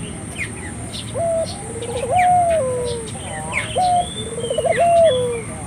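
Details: Spotted dove call played to get local doves calling: low phrases of a short clipped note, a fast throbbing trill and a long fading coo, repeated twice, with scattered high chirps from other birds.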